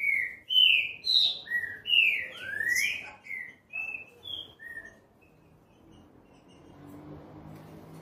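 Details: Green-winged saltator in classic song: a rich, loud phrase of clear whistled notes slurring up and down, tapering into softer, higher notes before a quiet hiss.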